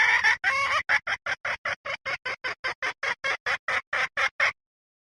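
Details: Hen cackling: a steady series of about seventeen short, harsh, evenly spaced clucks, roughly four per second, all at the same pitch, then silence.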